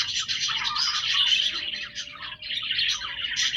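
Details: Chorus of pet budgerigars: fast squeaky twittering and grating warbles pour out without a break, briefly dipping after two seconds, with a faint thin tone underneath.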